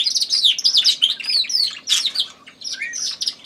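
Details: Canary, recently bought, singing against a competing Tui in the background. Quick chirps and downward-slurred whistles repeat rapidly, then a short, quieter dip before the bright notes resume.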